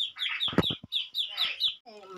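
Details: Tame-in-progress pet crested myna giving quick bright chirps in a steady run, broken by clattering knocks and a short low buzzy harmonic sound near the end.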